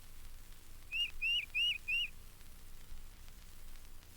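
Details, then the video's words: Tufted Titmouse, a regular visitor to the feeders at the Mountain Lake Sanctuary in Florida, with sprightly notes: four clear, loud whistled phrases, each a short rising-then-falling slur, repeated evenly about every third of a second over soft background hiss. "Its sprightly notes remind northerners of the chickadees they've left behind."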